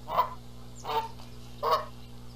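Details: Canada goose at a nest in Charlo, Montana, April, during a squabble over sitting on the eggs; three short, loud, nasal honks spaced under a second apart.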